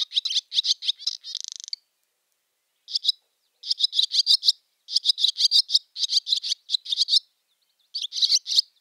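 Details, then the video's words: A Barn swallow gives its chatter call: quick bursts of high, dry chips with one short buzzy rattle near the start, separated by brief pauses, over a quiet background. "Barn Swallow ? | Voice & Sounds | Chatter call"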